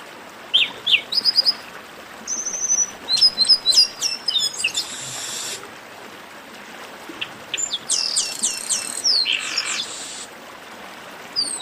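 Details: Garibaldi, or chestnut-capped blackbird, singing an esquenta warm-up: scattered sharp chirps, rapid series of descending whistled notes, harsh buzzy rasps after each phrase, two main bursts separated by a lull.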